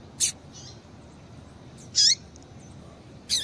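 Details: Female double-collared seedeater calling to excite a male into singing: three brief high chips, one with a falling hook, separated by over a second of quiet background hiss.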